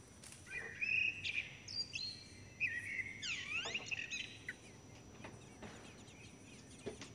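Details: Common blackbird chicks being fed by both parents at the nest, filmed over a long-term study: thin high squeaky begging notes and quick chirps in bursts, with a slurred descending whistle midway over a soft, steady outdoor background.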